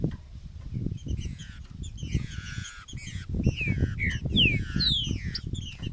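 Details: Green-winged saltator in the macheado and piado song styles, used to stimulate other saltators: loud descending whistled slurs, some overlapping, with a low rumbling background throughout.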